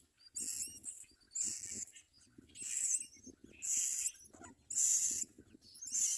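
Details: Common myna feeding its young: loud, harsh, hissing rasps come in bursts about once a second, six in a row, over soft low knocking and rustling.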